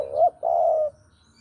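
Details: Lure recording of a spotted dove from Java: a short, upward-bending coo, a brief gap, then a long, even, husky coo that fades out. The background is quiet.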